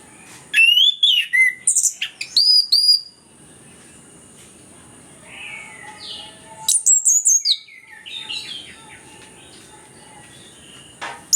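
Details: Orange-headed thrush song used as a lure to prompt reluctant birds to sing: bursts of rich whistled and chattering phrases, sliding high notes, then a quieter pause with faint warbling before another loud run of varied notes; a steady high hiss persists.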